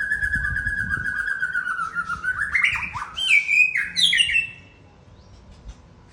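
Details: White-rumped shama of the Aceh type singing a fill-in phrase: a long, steady whistled note that slowly falls in pitch, then a quick run of rising, stepped, rich whistles. It stops abruptly after about four and a half seconds, leaving quiet background noise.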